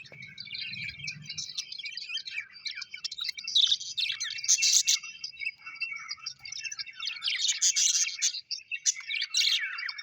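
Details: Pet budgerigars, described as happy, chirp and warble continuously, with loud scratchy bursts rising over the chatter. A low rumble is heard at the start.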